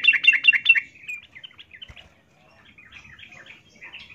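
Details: Female yellow-vented bulbul in breeding condition calling to a male: four loud, bubbly chirp bursts in the first second, then quieter, sparse twittering notes.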